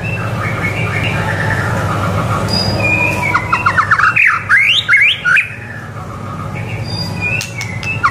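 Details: White-rumped shama song for tutoring young birds: a quiet opening, then a burst of quick looping whistled notes and sharp chirps near the middle, over constant low background hum.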